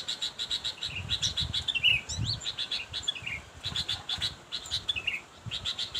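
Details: Sooty-headed bulbul calling to a rival, giving rapid bursts of sharp chirps mixed with brief down-slurred whistled notes, the bursts separated by short pauses, with faint low rumble beneath.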